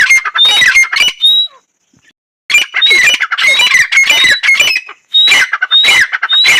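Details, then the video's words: Female painted francolin calling: a rapid series of harsh, scratchy notes mixed with thin whistled slurs, a short silent gap near the two-second mark, then the loud grating calls resume steadily. "female dakhni teetar sound"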